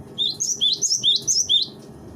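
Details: Training recording of a cinereous tit: about seven rising high whistled phrases repeated rapidly and evenly over two seconds, with soft low background noise.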